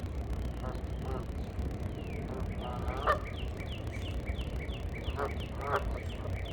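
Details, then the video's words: Geese calling back and forth in a mating exchange: short, nasal honks with stacked tones at irregular intervals, plus faint thin descending notes, over a steady low rumble of background noise. "GEESE MATING CALL HONK TALKING WITH EACHOTHER"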